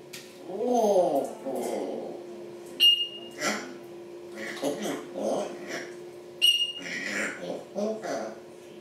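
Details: African grey parrots talking and making noises: speech-like syllables with varied pitch, a couple of brief sharp whistles, and short noisy bursts in irregular sequence.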